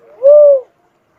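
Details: One cuckoo-dove hoot: a soft murmur building into a steady, mellow low tone held briefly before tapering off, in clean quiet surroundings.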